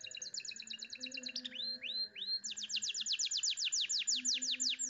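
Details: Canary song, a master song with a clear voice and luxurious melodic turns: fast repeated high trills, a few long upswept whistles, then a rapid run of downward-sliding notes, over a steady low hum.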